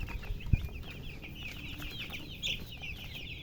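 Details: Chicks chirping rapidly, a busy run of high slurred peeps from several birds, over low hum, with a sharp thump near the start.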